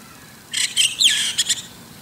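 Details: White-cheeked starling perched on an antenna in the morning. It gives a brief, scratchy, chattering phrase with a downward-sliding squeal in the middle and two clipped notes at the end.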